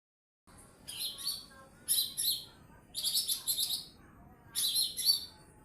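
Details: Lesser green leafbird, a small 'mini' bird singing actively in a loud, piercing 'nembak' style, kept for tutoring other birds: four bursts of high, dense, buzzy chattering trills, each under a second, separated by short silences.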